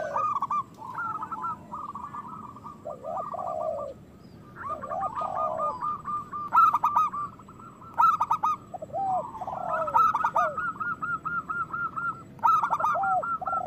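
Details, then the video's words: Local zebra doves cooing as a prompt for other doves to sing and breed: repeated bursts of staccato cooing, loud rough phrases every couple of seconds, lower slurred coos interleaved. "Perkutut lokal gacor Suara Besar Pancingan Birahi Cepat Bunyi"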